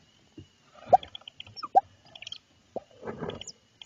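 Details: Barred owl pair at night in Lebanon, Connecticut, with three owlets: as the male delivers food to his mate, a few short, falling hoot-like notes about a second apart, with soft rustling and faint steady high insect drone.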